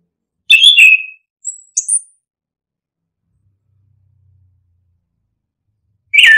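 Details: Brief orange-headed thrush phrases meant to set other birds singing: a strong warbled whistle, two thin very high notes, a long quiet gap, and a final loud phrase starting at the end.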